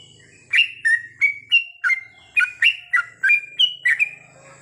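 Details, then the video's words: Sooty-headed bulbul song recorded at night for goklik training: a steady string of about a dozen crisp, bubbly whistles, alternating higher and lower pitches, roughly three notes per second, with a soft low hum underneath. "terapi trucukan di malam hari ‼️agar mudah nropel goklik panjang!!"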